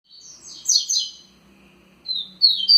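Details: Double-collared seedeater, a kept bird, singing in the Tui Tui style: a brief high twittered phrase, a pause, then a second run of quick, sharp chirped notes rising in strength.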